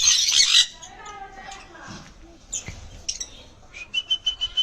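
A sun conure gives a loud harsh screech, then softer chattering talk and a run of high chirps.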